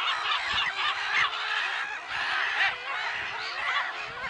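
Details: Chorus of black-headed gulls, recorded 10 April 2011 at Lake Sarymsak, Pavlodar Region, Kazakhstan: scratchy, wavering screeches from numerous birds crowd over one another, with brief louder peaks among the din.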